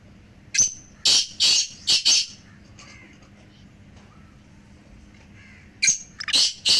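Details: Three black francolins used to make a pet francolin call more: one full phrase of five harsh, buzzy notes, a pause of about three seconds, then another phrase beginning.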